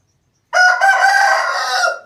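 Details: Sudden loud crow from an Aseel rooster, harsh and strongly harmonic, sustained for about a second and a half before trailing off.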